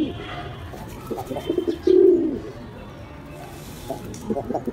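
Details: Pigeon giving a single deep, swelling coo after soft stuttering notes, with faint background music and low rumble.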